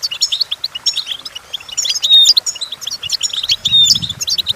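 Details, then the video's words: Singing goldfinch, recorded as a teaching song for goldfinches: lively high twittering phrases with bright whistled notes and liquid trills, uttered in fast, irregular bursts, plus a brief low rumble near the end. "The Entrancing Song of Goldfinches Birds"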